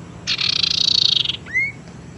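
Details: Lure sound of a tailorbird, 'teras' style, meant to prompt silent birds to sing and to attract others: a harsh buzzy trill lasting about one second, followed by a single clear rising whistle.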